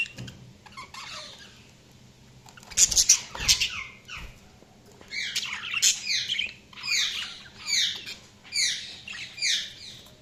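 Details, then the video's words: Budgerigars chirping: a burst of harsh, noisy squawks, then a run of rapid, bright, downward-sweeping chirps repeated about every half second, high-pitched and scratchy. "Budgies Sounds| Budgies Chirping sound"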